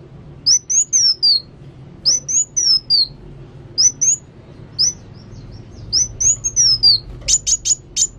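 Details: Energetic song of a kolibri wulung sunbird: repeated groups of three or four thin, high slurred whistles, ending with a quick string of sharp piercing chips.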